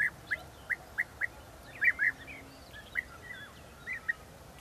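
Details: Several European bee-eaters recorded at Balta on 2 May 2018: short purring, trilled call notes given singly and in quick pairs, a few fainter answering calls from other birds in the background.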